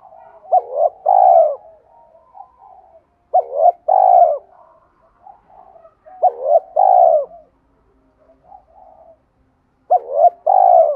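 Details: Steady series of four 'thúc' coos from a spotted dove, used to provoke wild doves. Each is a short hooked note and a longer mellow coo, spaced about three seconds apart, with soft low murmuring between.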